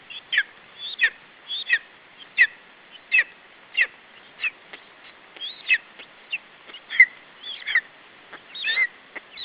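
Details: A lesser spotted eagle chick at its Estonian nest, afternoon of 21 July 2012, keeping its food from an adult. Rapid, high, piping call notes repeat almost continuously, with a longer wavering squeal near the end.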